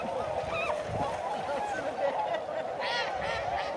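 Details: Tundra swans in flight at Sakata lagoon on 3 November 2018, a flock giving a steady chorus of soft, overlapping honking and bugling calls, several birds calling at once, over a faint background hum.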